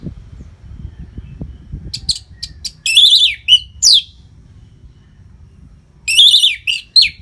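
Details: Orange-headed thrush singing nonstop as a tutor song for training competition birds; after a quiet start, loud high whistled and chattering phrases come in bursts, with warbling runs near the start and end.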